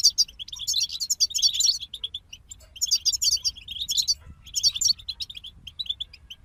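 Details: A European goldfinch group pours out repeated bursts of tinkling, buzzy twittering, each lasting about a second, with short pauses and light low hum beneath.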